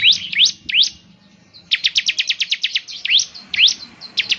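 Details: Bar-winged prinia song meant to trigger singing in a caged bird: a few upslurred whistled notes, then a rapid rattling burst of short high chirps, then more rising notes.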